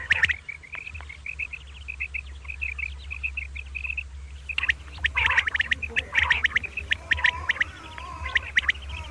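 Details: Morning calling of common quail, known locally as batair, in the double 'kirk karkar' style. Soft, even chirps give way to loud, harsh, clipped notes fired in rapid clusters, with a constant low hum underneath.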